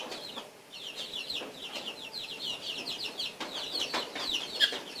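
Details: Three guinea fowl feeding give a rapid series of harsh, high, chattering notes, with sharp clicks between them.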